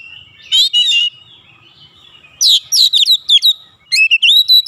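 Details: Agitated Oriental magpie-robin (kacer) singing isian filler phrases: a brief buzzy whistled burst, a pause, then quick runs of bright, looping notes that sweep up and down.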